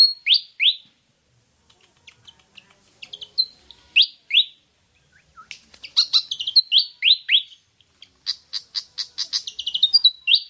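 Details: Pied fantail, Rhipidura javanica, used to lure birds into singing: bright rising-falling whistled slurs paired, then bursts of quick chittering notes mixed with more sweet swooping whistles, phrases separated by short pauses.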